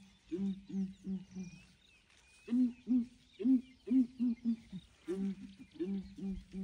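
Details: Morning chorus of southern ground hornbills, watched by an investigating breeding herd of elephants: low hollow booming hoots in three bursts of four to six notes, steadily spaced, with faint bird calls higher up.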